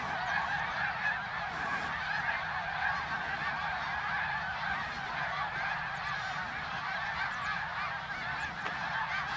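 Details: A large flock of migrating greater snow geese in fall 2021 over Ottawa, Canada, forms a dense chorus of countless overlapping nasal, high-pitched honks in a continuous clamor.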